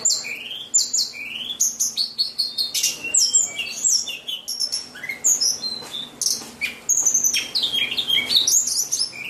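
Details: Song of a white-rumped shama, a rapid jumble of sharp high whistles, slurs and clicky notes poured out almost without pause, with rich varied phrasing.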